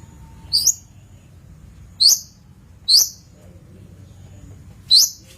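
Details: Long-tailed shrike, used as a master recording for training birds: four short, sharp, high chirps with a quick upward sweep, spaced irregularly about one to two seconds apart over a quiet background.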